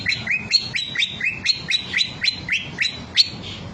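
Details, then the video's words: Cucak ijo, green leafbird, pouring out its repertoire in 'bongkar materi' style: quick repeated whistled notes, each sliding upward, about four per second in an uneven rhythm, with soft rustling underneath. "cucak ijo bongkar materi mewah"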